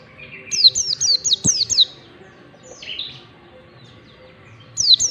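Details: Mountain white-eye in ngalas song style for bird training: a string of about seven quick, high, downward-slurred whistles, a quiet buzzy note, then a final pair of falling whistles.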